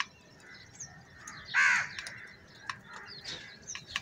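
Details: Crows in a crowd fighting for food: one loud, harsh caw stands out, with faint distant calls and sharp clicking or tapping noises around it.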